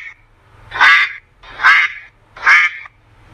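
A duck gives three harsh, nasal quacks, each about half a second long, spaced under a second apart, over a faint low hum.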